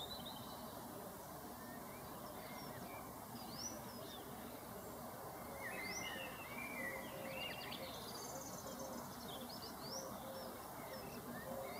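Sharp, high chirping notes, scattered and irregular, over a steady rushing background noise.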